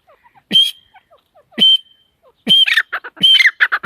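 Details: Female partridge (teetar) calling: sharp, harsh broadband notes with a thin high whistled tone, first two spaced about a second apart, then a faster run of grating squawky notes.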